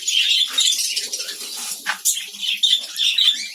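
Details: Budgerigars in a village breeding colony during hot weather, with chicks hatching; dense, continuous scratchy chattering and twittering with brief tonal chirps, interrupted by soft wing flutters.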